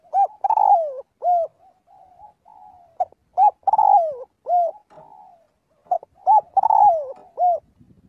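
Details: Calling to its flock, a spotted dove gives three full phrases of short hooting coos and a falling rolled coo, separated by soft murmured cooing.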